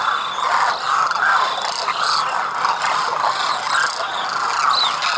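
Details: A large flock of migratory demoiselle cranes wintering at Khichan village, Rajasthan, India, calls together in a steady, overlapping chorus of croaking, trumpeting notes with some rising whistled tones.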